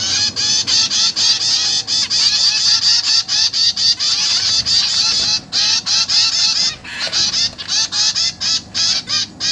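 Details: Zebra finch chicks being fed by their parents in a cage, three juveniles and three newborns, 29 September 2023: a loud continuous chorus of rapid harsh nasal begging calls, several per second, with a brief pause near the middle.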